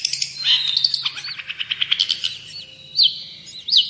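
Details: Long-tailed shrike in energetic song, used to train other birds: mixed high chirps and rattles, then looping whistled notes that rise and fall, separated by short pauses, with a faint low hum.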